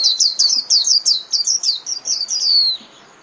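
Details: A white-eye's continuous, rapid twitter used to call the flock: a dense chain of high, sweet downslurred notes ending in one drawn-out falling whistle.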